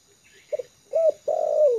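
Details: Trained lure spotted dove at ease on the ground, giving faint soft notes, then a clear arched coo followed by a long, slowly descending drawn-out coo.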